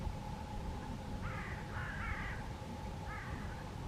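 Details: Greater Canada goose (Branta canadensis canadensis), one of a pair with four young goslings, Maastricht, Limburg, 30 May 2021, gives three short nasal honks, two close together and one after a pause, over a steady low rumble and faint hum.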